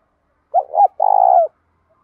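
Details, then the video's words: One full coo phrase from a trained spotted dove whose song is used to provoke and train other doves: two short notes run together, a brief pause, then a long, steady, buzzy coo that falls slightly at the end. "cu gáy thúc dút cực chuẩn, giọng đồng pha tí thổ, đẹp mã hót cũng hay"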